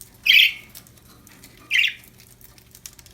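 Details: Budgerigars, described as happy, giving two loud raspy squawks about a second and a half apart, each short and buzzy, over a low background hum.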